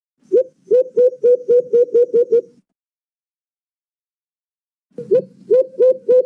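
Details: White-eared brown dove (alimokon) calling, played as a trapping lure: a string of about nine quick, low hoots, each slurring up, then silence before another series of four begins.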